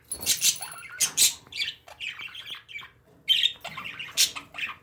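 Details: Home-kept parakeets trade loud screechy squawks and bubbling, warbled twitters, with a short silent pause midway before the noisy chatter resumes.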